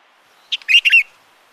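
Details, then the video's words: Himalayan bulbul calling in Uttarakhand, India: one short, loud, bubbly phrase of three or four quick liquid notes, slightly slurred and whistled, lasting about half a second against a quiet background. "Himalayan Bulbul Calling"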